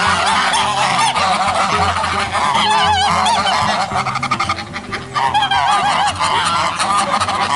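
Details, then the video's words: Many geese honking simultaneously in a group: rough, rapidly repeated overlapping cackles and honks, briefly thinning around the middle before surging again, with quiet background music beneath. "Sonido de ocas o gansos."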